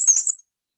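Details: A black-and-white warbler (Mniotilta varia) sings a brief burst of very high, thin, squeaky notes, two or three quick paired syllables like a squeaky wheel, "we see we see", then silence.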